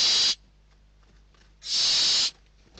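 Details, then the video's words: Hungry barn owl chicks in a nest in Spain contesting a food delivery on 21/12/2023; two rough hissing screeches, the second about 0.7 seconds long. "Lechuza común - [Interior]- Płomykówki"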